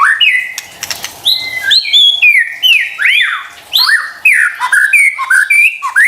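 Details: White-rumped shama song meant to provoke silent or stressed birds into singing: rich, fast sequence of clear whistles, swooping slurs and brief harsh notes following one another with hardly a pause.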